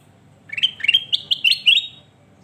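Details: Sooty-headed bulbul singing, recorded as a tutor song for training birds: a bright, rapid phrase of six or seven short, slurred whistled notes, each sliding upward, with a quiet low hum beneath.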